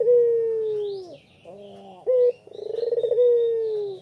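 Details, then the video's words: Lure calling of a puter pelung spotted dove, afternoon, Kuta, Bali: a long drawn coo sliding downward, a short bright coo, then a throaty trilled phrase ending in another long falling note; faint high chirps of other birds above. "BURUNG PUTER PELUNG BUAT PANCINGAN GACOR POLL"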